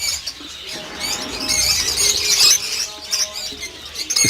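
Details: Flock of captive lovebirds on an 800-pair breeding farm, giving a steady shrill twittering that swells to a loud burst midway, then eases back, with brief knocks and clatter.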